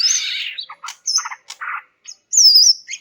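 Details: Greater green leafbird vocalising to provoke silent males into singing: a bright burst of high chirps, short buzzy notes and a clear whistled phrase near the end, separated by brief pauses.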